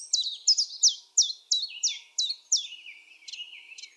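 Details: Common chiffchaff singing at Topbjerg (Mønsted) on 5 April 2020. It gives a steady run of sharp, high, downslurred notes, about two or three a second, in an uneven chiff-chaff rhythm, with no other sounds.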